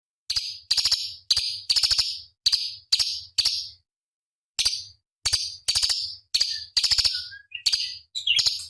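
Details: Cucak cungkok bulbul song used as a master track for training competition birds: bursts of harsh, buzzy, rattling chatter, each under half a second, repeated in quick series with brief pauses, a few thin notes near the end.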